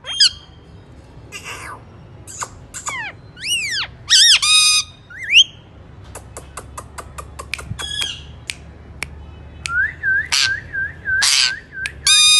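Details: Alexandrine parakeet calling: loud harsh squawks with arched, ringing harmonics come in bursts, mixed with sharp dry clicks and a run of rapid chattering notes near the end.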